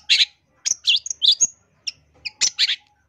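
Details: Long-tailed shrike in energetic, phrase-rich song, from training audio for caged birds and luring; a few harsh, buzzy, high chirps in short clusters with brief gaps between them.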